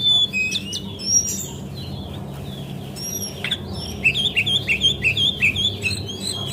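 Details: Lure recording of a female brown cingcoang (Lesser Shortwing), meant to get birds singing: scattered high whistles, then a quick series of about eight bright, bouncing two-part notes near the end over a faint background hum.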